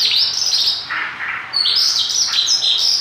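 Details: Mongolian lark singing vigorously: bright, high twittering phrases with quick up-and-down slurred notes and buzzy trills, briefly dipping lower before resuming rapid chirps.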